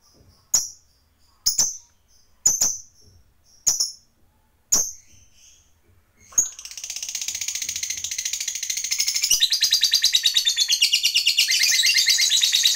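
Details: Lovebird fighter giving its prized ngekek panjang, a long trill used as a lure to heat up and provoke other lovebirds. Several sharp, high chips about a second apart, then an unbroken rapid, rattling high chatter lasting six seconds and growing louder.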